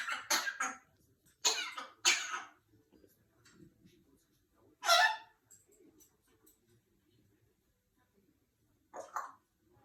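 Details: A female pet African grey parrot, fooling around and not sick, gives about five short, harsh, human-like coughs at irregular intervals, with quiet pauses between them in a small room.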